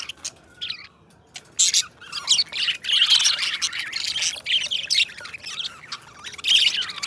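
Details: Pet budgerigars, two companion budgies, singing and chattering: dense scratchy warbles and squawky chirps high in pitch, coming in busy bursts with short quiet gaps, plus a few clicks.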